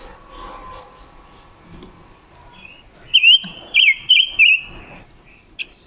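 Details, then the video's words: Wild-style song of a female Red-billed leiothrix decoy, October 2021, used to lure males; near silence gives way to four loud, clear slurred whistles in quick sequence, then one brief note. "Ngũ sắc mồi già rừng hót hay, ngũ sắc mồi luyện giọng hót của chim già rừng ngũ sắc mái mồi"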